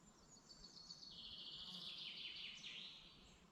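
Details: Singing bird in a Dublin mountains forest, Ireland, during the morning: a fast, high series of notes descends into a bright, rattling trill with small upward flicks, then fades out softly.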